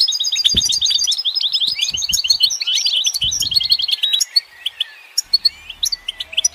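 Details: Goldfinch singing a dense, rapid stream of tinkling chirps and buzzy trills, thinning after a few seconds into scattered sharp notes; low thumps heard early on.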